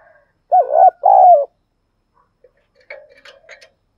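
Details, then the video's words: Caged spotted dove used as a decoy to provoke other doves: two loud hoarse coo phrases, the second longer and falling, then soft scattered chirps from other small birds. "Chim Cu Gáy Mồi Cây Gáy Sung Dùng Kích Bổi Mỗi Ngày"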